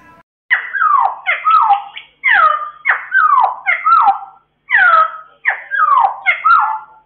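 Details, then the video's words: Cucak timur, an Indonesian endemic bird, singing in ngeropel style: loud, rich whistled phrases of two or three sharply descending notes, repeated in quick clusters with short breaks, in a quiet indoor setting. "suara unik burung cucak timur"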